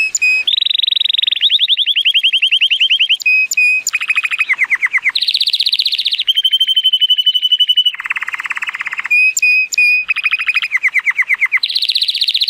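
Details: Timbrado Español canary, male, born 2018, rated 83 points, singing powerfully on a sunny day: continuous loud rolling trills at varying speeds and pitches, alternating with pure sustained whistles and clear bell-like notes.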